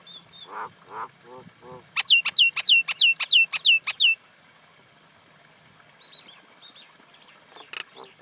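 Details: Common Indian myna call: a few soft gurgled notes, then about ten loud, clear, down-hooked whistles repeated evenly several times a second, followed by quiet and scattered faint notes.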